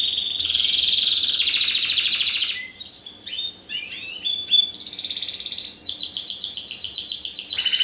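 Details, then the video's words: Spanish Timbrado canary, first-generation cross with wild canary from 2015, sings a rich rolling trill, softer varied twitters, then a very fast, bright, high rattling trill. "Timbrado Español x Serinus Canaria - (R1) 2015"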